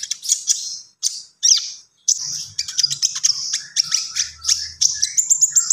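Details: Lively gacor song of a common iora (konin): three separate high chattering bursts, then a sustained run of fast clipped notes and whistles rising toward the end.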